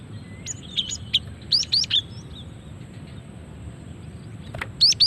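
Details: Female cinereous tit calls used as a lure and to spark singing: a few high chirps and slurred whistles in the first two seconds, a long quiet stretch, then a final pair of sharp rising notes.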